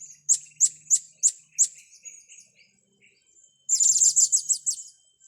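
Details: Blue-crowned hanging parrots, kept birds with young being trained: five sharp, very high chirps spaced about a third of a second apart, a pause, then a fast burst of seven or eight squeaky notes.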